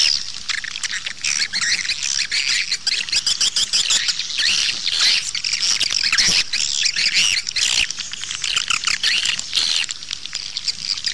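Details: Outdoor swiftlet lure sound, meant to attract birds to nest houses: a long, steady wash of shrill twitters and scratchy squeaks from a crowd of birds, with brief dips before picking up again.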